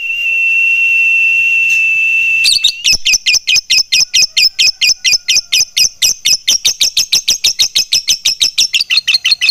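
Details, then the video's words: Fighter lovebird in full ngekek, a long chattering song with tight pauses: after a steady high whistled tone, rapid sharp metallic notes repeat about twice a second, hurried and even, indoors. "SUARA LOVEBIRD FIGHTER GACOR NGETIK NGEKEK PANJANG JEDA RAPAT"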